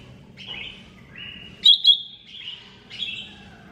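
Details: Greater green leafbird singing on a master recording: a run of bright, slurred whistled phrases with a pair of loud sharp chirps in the middle, continuing into varied warbling notes over a soft low hum.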